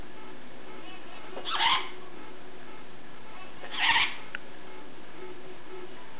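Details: Pet severe macaw eating an oatmeal snack after bath time gives two short, harsh, grating squawks about two seconds apart against a constant low hiss.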